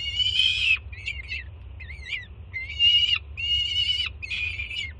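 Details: Juvenile peregrine falcon screaming excitedly at its mother delivering food, Jersey City nest, 24 June 2017. Six harsh screams, a couple wavering and broken, others long and steady, against low constant rumble.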